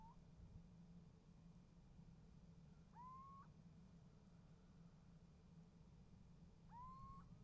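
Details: Little owl at a nest box calls and gets an answer: short, rising, whistled calls repeated about every four seconds over a steady low rumble; 28 January 2015, 7:36.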